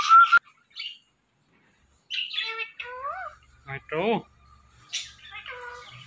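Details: Indian ringneck parrot speaking in short bursts: a whistled note at the start, then after a pause a series of buzzy, harmonic, speech-like syllables with swooping pitch, ending in a brief chatter.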